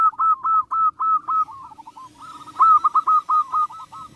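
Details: Perkutut, or zebra dove, calling to provoke rivals. Loud bursts of quick, clipped cooing notes come in two runs separated by a quieter pause, with a low soft cooing underneath.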